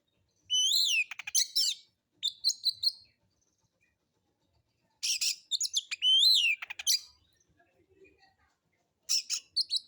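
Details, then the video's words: Oriental magpie-robin singing alone in a relaxed, continuous style with coarse material, a lure to provoke other birds: bursts of sliding whistles and scratchy rattles, repeated about every four seconds with quiet pauses between. "Pancingan Suara Kacer Santai; NGEPONG NGEPLAY SENDIRI MATERI KASARAN"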